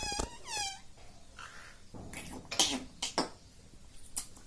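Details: Pet parrot, said to talk like a human and say "mummy", gives two short harmonic swooping calls at the start, followed by scattered clicks and knocks.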